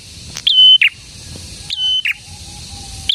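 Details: Prinia, called prenjak tamu or prenjak merah locally, singing actively: a sharp rising note, a long level whistle, then a lower burst, a phrase heard twice with a third starting at the end.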